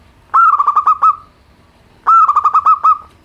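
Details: Zebra dove of a local strain, simple song for therapy of birds slow to sing: two matching phrases, each a burst of rapid pulsed coos ending in a drawn-out tail.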